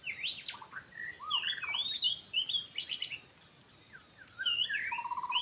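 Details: White-rumped shama in forest, recorded while bird trapping in Lombok: rich varied song of whistled slurs, rising and falling notes and quick trills, with a steady insect hum in the background.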